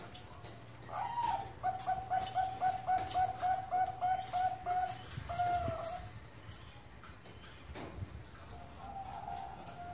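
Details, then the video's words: Farm-kept Bangkok perkutut (zebra dove) from Kroya, Central Java, singing melodiously: a quick rolling series of soft coos lasting several seconds, then a single drawn note and quieter cooing later, over a low steady hum. "PERKUTUT BANGKOK SUPER MERDU"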